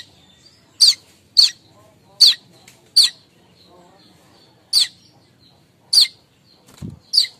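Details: Morning chatter of a streaked weaver, the kemrecek call used to lure other weavers: harsh, clipped chips spaced roughly half a second to a second apart, with a brief low thump near the end.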